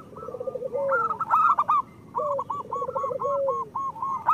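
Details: Zebra dove of local stock sings low rolling trills that end in drawn-out falling coos. The song is used to coax reluctant caged birds into calling. Brighter, higher chattering notes of other birds overlap throughout.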